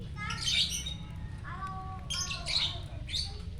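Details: Morning song of a champion chatty lovebird in Jatihandap, Bandung: sharp high squeaky chirps in quick bursts, mixed with short lower whistled notes, against a constant low background hum.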